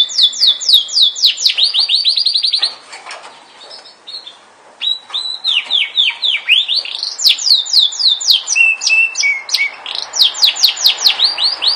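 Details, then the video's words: Yorkshire canary singing: rapid trills of descending whistled notes around four to six per second, a short quieter gap, then renewed rolling trills and a brief sustained whistle. "kenari yorkshire"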